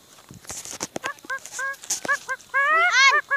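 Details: Rare swamp harrier, caught and then released, calling a rapid series of short harmonic squealing notes, ending in longer rising-and-falling whining cries, with rustling and clicking handling noises throughout.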